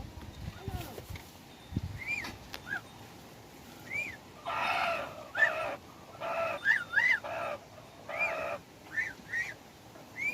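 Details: Hybrid red junglefowl, a domestic chicken crossed with wild junglefowl, described as a fine young rooster that crows very well, dated 10/1/2021. Several harsh, broadband crow bursts about a second long, with short arched chirps from other birds between them.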